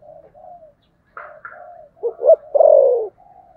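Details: Spotted dove fighting coo: quiet humming notes and a higher double note, then a loud burst of two short coos and one long falling coo.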